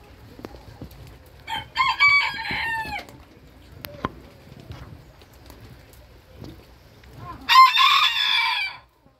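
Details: A Booted Bantam rooster crows twice in a kitchen garden, each crow a hoarse, rising-then-falling cock-a-doodle-doo.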